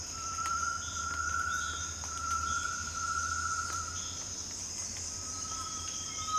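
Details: Great tinamou giving long, steady, pure whistled notes that hold one pitch across several seconds, under a constant high hiss of crickets and insects.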